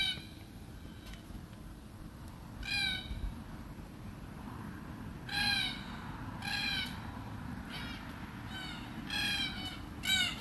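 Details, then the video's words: In Australia, a red-tailed black cockatoo feasting on beach almond seeds utters grating, harmonic-rich screeches spaced irregularly, roughly six short calls in ten seconds, the final one loudest, with constant low-pitched background noise. "Red-tailed Black Cockatoo Call"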